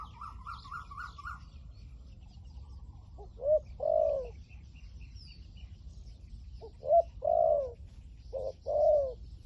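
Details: Decoy spotted dove, 'liu tan' voice, calling to lure wild doves: after a quick high chirping burst from another bird, three double coos follow at irregular intervals, a clipped note then a drawn-out falling coo.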